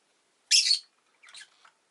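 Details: Rosy-faced lovebird, a pet bird, giving one loud harsh broadband chirp followed by a softer, scratchier second chirp in an otherwise quiet room.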